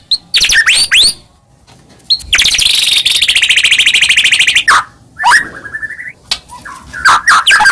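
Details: White-rumped shama song used to provoke other shamas: a few sweeping whistles, then a long harsh buzzing rattle lasting about two seconds, followed by scattered whistled notes and a rising drawn-out whistle.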